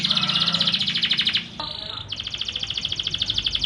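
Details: Young canary song, used to prompt silent canaries to sing: long fast trills of bright repeated notes, broken by a short buzzy note in the middle, then trilling again, over a steady background hum.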